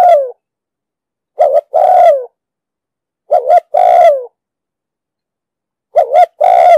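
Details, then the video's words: Spotted dove cooing in a deep 'đồng sấm' voice for luring wild doves to traps: a trailing coo, then three phrases of a short two-part note and a sustained, falling coo, roughly two seconds apart, with a clean background. "Tiếng chim cu gáy giọng đồng sấm,thúc gù bài bản"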